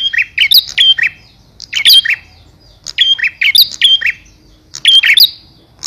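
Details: Male bar-winged prinia calling to the female: loud bursts of sharp, high chirps and short whistled notes, several notes per burst, bursts repeated about every one and a half seconds with brief quiet gaps between.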